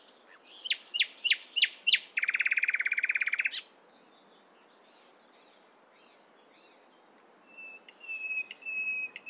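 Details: Morning song of a nightingale: a sequence of loud, clipped notes runs into a dense, buzzy rattle lasting over a second. Silence follows, then a high, steady whistled phrase.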